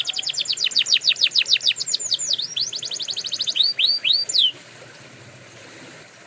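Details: Canary song for training: long series of quick downward sweeps in rhythmic rolls, a few slower looping swoops, then the song stops into quiet background.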